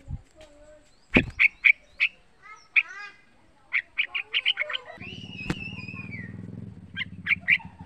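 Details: Young yellow-vented bulbul, about three months old, a captive songbird, gives bubbly, liquid chirps in quick bursts of three to five notes plus one long slurred whistle; a click and low hum also heard; used to prompt other bulbuls to sing.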